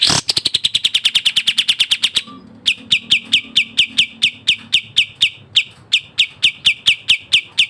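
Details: Sooty-headed bulbul in fast, tightly packed varied masteran song: a rapid run of sharp high chirps slides slightly downward, breaks briefly, then resumes as evenly spaced bright chip notes, with a faint low hum underneath.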